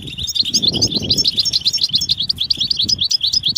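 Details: European goldfinch calls said to rouse silent males into song: dense, fast run of bright, liquid twittering notes with short upward flicks, steady throughout, over faint low background noise.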